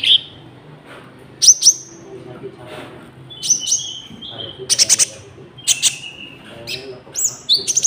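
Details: Konin song played to attract wild birds and to train caged ones: spaced clusters of sharp, high chirps, each followed by a short flat whistle, repeated about every second.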